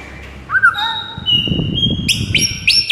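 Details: White-rumped shama morning song: clear whistled notes, some sliding, then short high bright repeated phrases near the end, with low background rumble.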